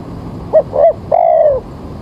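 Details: Spotted dove used as a trapping lure on a damp early morning: one clear phrase of a short coo, a slightly longer second coo, then an extended gently falling note.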